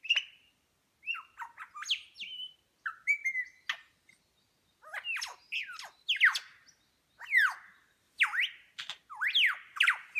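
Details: A superb lyrebird in New England National Park, NSW, Australia, copying other bird calls while showing off its tail; a jumbled medley of whistled slurs, sharp chirps and falling notes in irregular bursts.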